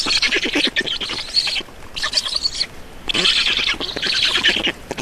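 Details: Black storks at an Estonian nest during a feeding on 31 May 2019, 14:53: harsh, rasping pulsed calls in two long bursts separated by a short pause.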